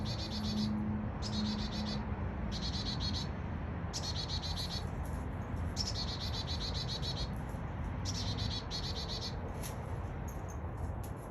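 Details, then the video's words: Small, annoying chickadee call: six clear bursts of fast, buzzy high notes, each about a second long, coming roughly every two seconds above a constant low hum. "Chickadee Sounds very small but annoying sound"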